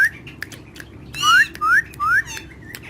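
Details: Parrot at play with other parrots, described as talking in Urdu/Hindi: three loud upslurred whistles in a row, each under half a second, with faint squeaks and ticks around them.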